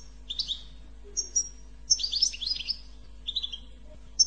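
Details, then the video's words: Goldfinch in stimulating 'bitbita' song: tinkling chirps, a high whistled note, then a long, fast cascade of liquid twitters and a lower buzzy phrase, over a quiet background hum. "أقوى بتبتة لتحفيز الحسون على التغريد"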